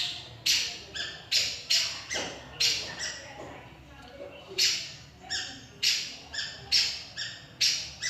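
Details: Long-tailed shrike, a mimic of other birds' songs, delivering a rapid series of loud, harsh, scratchy notes, often in pairs, with a brief quieter pause midway.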